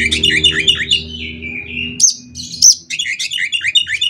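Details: Oriental magpie-robin singing with 'isian konslet' fill, meant to spur other magpie-robins into song; fast warbled phrases, a long descending whistle, then sharp high notes and quick chattering trills over a faint low hum.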